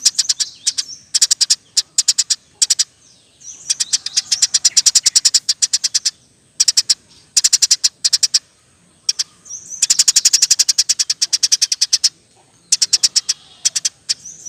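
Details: Eurasian tree sparrow in energetic, rapid song used as a tutor for other songbirds; dense bursts of high, sharp chips fired in quick rolls, with short pauses between bursts.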